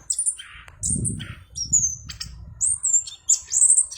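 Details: Orange-headed thrush giving high thin whistles mixed with harsher buzzy notes, song phrases broken by a low rumbling noise in the background.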